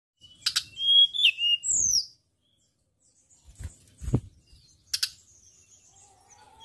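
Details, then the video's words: White-browed shortwing (tledekan gunung) from Indonesia, a song recording used as a lure to train songbirds: bursts of high, thin whistled notes, slurred and buzzy, in quick jumbled phrases, a pause, then sharp high chips; a few low thumps. "PANCINGAN TLEDEKAN GUNUNG GACOR,BESETAN KEREN ,SUARA PLONG ,NYENTAK FIGHTER"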